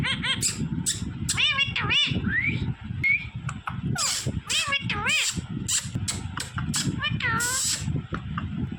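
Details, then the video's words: Smart green parrot imitating human speech: many short arched, squeaky syllables in quick bursts, some rising whistles, with steady low household noise underneath. "smart green Parrot Talking Natural Sounds"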